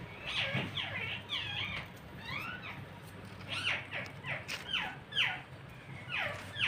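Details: Parrot chirping, a busy stream of short rising and falling chirps and squeaky notes over a steady low background hum.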